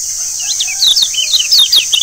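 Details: Lure song of the Lombok yellow white-eye, known locally as kecial kuning, meant to prompt caged birds to sing: a fast, busy stream of high, sliding twittering notes, dense throughout, against a constant shrill background hiss.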